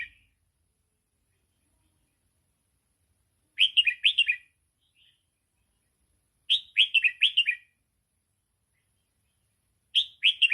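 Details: Red-whiskered bulbul song in the double-phrase style, used to train young birds: three rapid, bubbly, whistled phrases of several notes each, spaced about three seconds apart by clean silence.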